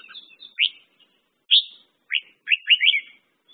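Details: Clear, isolated chirps from a red-whiskered bulbul, each a short upward-sweeping whistle, spaced about half a second apart, closing with a quick cluster of three bright notes.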